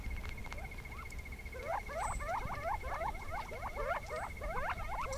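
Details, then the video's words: A covey of Gambel's quail chattering, a happy family song: many short, overlapping rising and falling notes, quick and busy, over a low rumble and a faint steady tone; Sonoran Desert quail. "And this little square is a covey of quail chattering, so let's listen to that."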